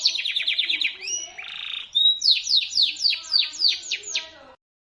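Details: Shrill local canary song meant for tutoring magpie-robins: a quick series of high downslurred notes, a short buzzy rattle, then evenly spaced sharp descending whistles before ending abruptly.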